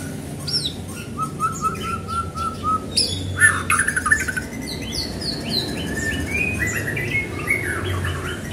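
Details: White-rumped shama singing to stir other shamas into song: a row of short repeated whistled notes, then a loud chattering burst and a long run of varied, rapidly delivered whistles and trills.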